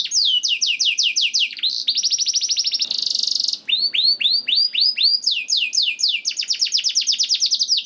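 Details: Canary masteran song intended to make other canaries sing readily. Long run of rapid descending trills, a fast rattle, a brief buzzy note, then more rolling, repeated sweeping phrases.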